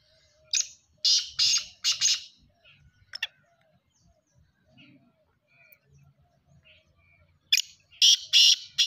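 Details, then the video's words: Black francolin calling twice: a series of five harsh, grating bursts at the start, a short pause with soft clicks and faint murmurs, then the rasping phrase begins again near the end. "kala teetar ki boli | kala teetar awz | partridge voice | francolins voice"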